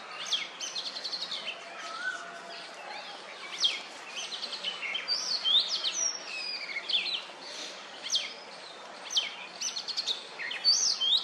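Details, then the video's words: Male-style courtship singing from an Oriental magpie-robin on a wooden stump, feathers ruffled, calling to females; a long run of varied high whistles, clipped chirps and falling slurs, with faint other bird calls and steady outdoor hiss. "Oriental Magpie-Robin poops while making mating calls!"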